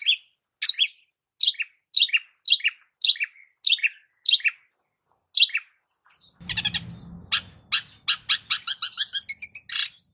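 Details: Long-tailed shrike singing a varied lure song: evenly spaced downslurred chirps, then a faster burst of chattering notes and rising trilled phrases.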